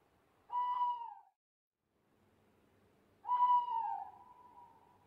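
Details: Owl hooting at night: two clear, tonal notes about two and a half seconds apart. The first is short and falls at its end; the second is longer, dips, then holds steady and fades. The background is quiet.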